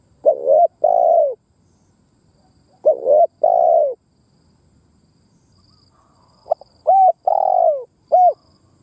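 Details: Decoy spotted dove urging caged doves to call. It repeats a two-part phrase of a quavering coo and a broad buzzy coo twice, then gives a faster string of short arched coos and one long falling coo.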